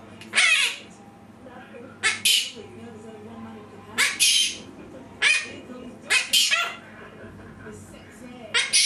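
A monk parakeet gives sharp, hissing bursts that imitate human sneezes, repeated every second or two.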